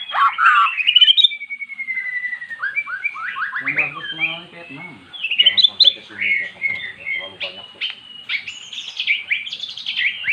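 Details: Magpie-robin that never sang before, vocalizing after hearing recorded song: loud sweeping whistles, rapid warbled runs and high trills, with faint low murmuring in the middle.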